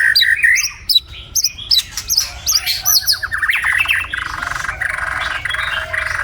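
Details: White-rumped shama singing in the morning in a Vietnamese garden: a rich run of varied whistles, sweeping slurs and rapid clipped notes, giving way to a denser, steadier chatter in the second half.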